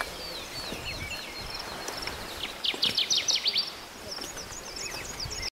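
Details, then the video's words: Kirtland's Warbler (Setophaga kirtlandii) in Huron National Forest, Michigan, on 28 May 2012: one loud, bubbly song burst of about eight rapid, emphatic notes lasting a second, with faint twitters from other birds around it. "Kirtlands Warbler"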